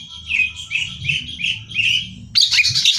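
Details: Greater green leafbird used as song-contest training material: a row of five clear rising whistled notes about half a second apart, then an abrupt harsh high chatter.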